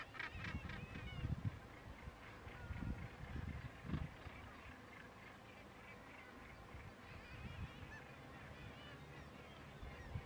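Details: Northern Gannets (Morus bassanus) diving off Bempton Cliffs give harsh, grating, repeated calls in bursts during the first few seconds, over steady low rumbling wind and surf.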